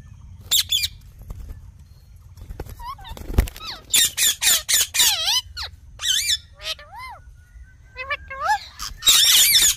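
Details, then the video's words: Ringneck parrot calling: harsh, broadband squawks in bursts mixed with clear whistled notes that arch up and down, some short and chattering, with louder screeching clusters near the start and end over a low background rumble. "Talking Parrot Natural Sounds"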